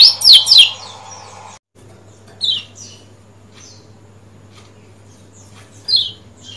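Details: Lemon-bellied white-eye from Lombok, used to prompt silent birds to sing and open their beaks: a quick burst of high, thin, downslurred chirps, then single sharp chirps spaced a few seconds apart over a low steady hum.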